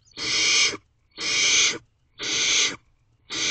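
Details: Barn owl family in a nest box at night, the female with her owlets during feeding: drawn-out breathy hissing screeches, each lasting about half a second, repeated steadily once a second.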